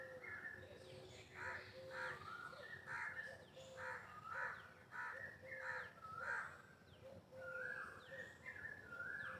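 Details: Peacock calling during a dance: a run of short, tonal, wailing calls with layered harmonics, repeated roughly every second over steady background noise.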